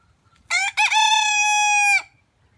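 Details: Rooster crowing: a short harsh opening note, a brief break, then one long loud harmonic crow held steady for over a second before cutting off sharply, with quiet low rumble beneath.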